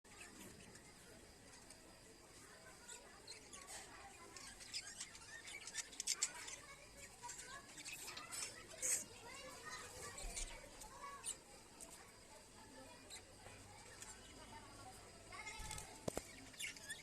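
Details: Many budgerigars at a budgie and cockatiel place in Davangere chatter constantly, a busy mix of warbling, chirps and sharp squeaks.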